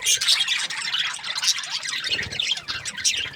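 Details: Australian budgerigars chirp in a lively flock: quick, squeaky chattering notes crowd together, with a few dull low thumps around the middle of the short stretch.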